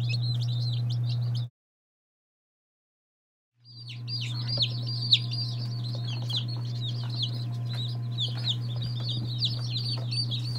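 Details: Day-old chicks of assorted breeds (Lavender Orpington, Marans, Silkie, Serama, Legbar, Salmon Faverolles) peep shrilly; a brief burst, two seconds of silence, then a long, fast, evenly repeated run of bright peeps over a low hum.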